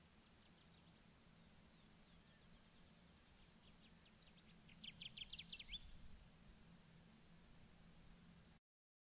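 Kirtland's warbler: faint scattered chips, then a loud, fast burst of emphatic notes lasting about a second. A low steady rumble sits underneath.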